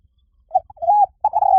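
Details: Spotted dove producing short soft notes, then a sustained level coo falling at its end, followed by a rapid burst of stuttering coos. The coos are low, mellow and clear.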